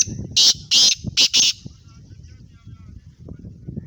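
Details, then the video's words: Sindhi black francolin giving a loud, grating call of four rapid harsh high notes in about a second, followed by low background rumble and murmuring. "Sindhi laka Kala teeter 1 mint main 8 KO speed"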